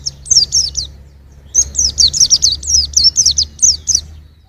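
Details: A young white-eye, recorded in 2021, gives two bursts of quick, high-pitched slurred notes separated by a gap of about a second, over a soft low background hum.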